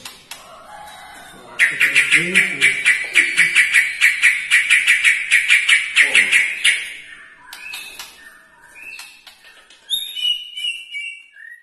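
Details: White-rumped shama mimicking a lovebird's long ngekek: a five-second rattling trill of rapid, harsh, evenly repeated notes. After it come scattered short chirps and clear whistled notes, and faint low sounds open the recording.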